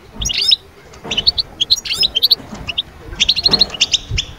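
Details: European goldfinch song to shake birds from moult into breeding mood: rapid, bright twittering phrases and clustered high chirps in short bursts, a low thump or two beneath.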